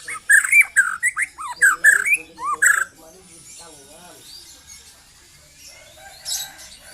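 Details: Young white-rumped shama singing in 'trotol' style: about three seconds of rapid, arching whistles and sharp rising slurs with rasping overtones, then quieter scattered notes and a faint harsh burst.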